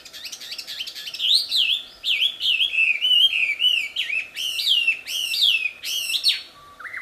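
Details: Wild wambi song, loud and sweet: a long run of rapid, high whistled notes that swoop up and down, delivered in bursts with short pauses, ending in a lower whistle, with no other clear sounds.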